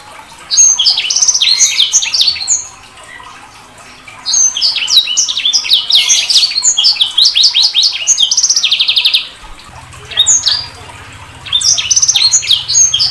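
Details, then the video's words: Sanger bird singing three long bursts of rapid, high, varied whistles and chattering trills separated by short pauses, with a low hum in the final seconds. "Suara Burung SANGER"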